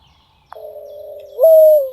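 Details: Wild eared dove in Brazil cooing: a long low steady note that jumps abruptly higher near the end and holds before fading.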